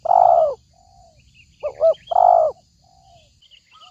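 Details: Spotted dove call used as a trapping lure: loud, hoarse low coos, a short doubled note then a long drawn coo, with a softer descending coo between and faint chirps of other birds over a steady high hiss.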